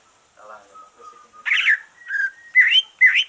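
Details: Green leafbird singing after its moult, a song meant to stir other leafbirds to sing: a soft low warble, then loud buzzy phrases and rising whistled notes in quick succession.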